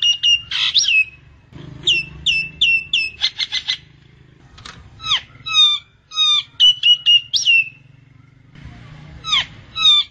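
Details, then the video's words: Common myna recorded as a bird-trapping lure; lively mixed phrases of short whistles in quick sets, clicking bursts, downslurred squawks and fluty upslurred notes, with pauses between groups and a faint low hum underneath. "Tiếng Chim Sáo Nâu , Sáo Trâu"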